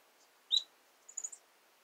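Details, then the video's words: Female red-cheeked cordon-bleu kept as a pet, singing: a brief high thin note followed by a few very high squeaky notes, in otherwise quiet surroundings. "red cheek cordon bleu Female singing!"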